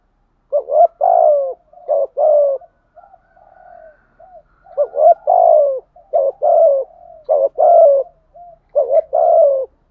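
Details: Spotted doves, male and female, cooing in the thúc gù style, used for training and luring doves: mellow, hooting phrases of two to three notes with rising then falling tone, repeated in clusters with short pauses and softer murmurs between.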